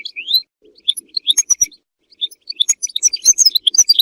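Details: European goldfinch song, used for mating and for teaching goldfinches to sing: high, tinkling, twittering notes with rising slurred whistles, scattered in quick bursts and brief pauses.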